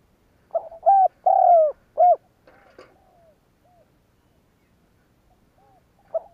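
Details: Spotted dove calling to urge other doves to coo: one loud phrase of short, long falling and short coos, then several faint distant coos, with a soft knock in the pause.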